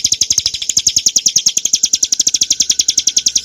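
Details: Bar-winged prinia in 'ngebren' song used to tutor and provoke cage birds: sharp, high notes fired quickly and rhythmically, with slight unevenness in spacing and a faint low hum beneath.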